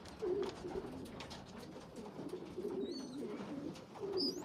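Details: Pigeon youngsters, among them a small poorly developed one feeding larger siblings, give short low coo phrases in repeated bursts. Rising high squeaks come near the end, with light rustling and clicks.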